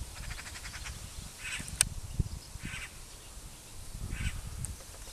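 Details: Great spotted cuckoo calling with rough, chattering notes, a quick rattling series then three harsh bursts roughly a second and a half apart, against low rumbling background noise and a sharp click.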